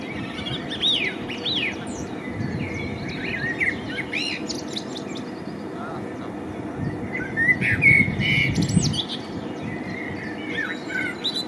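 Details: A male common blackbird (Turdus merula) sings mellow, fluted warbling phrases, each ending in higher squeaky twitters, over a steady low rumble of background noise.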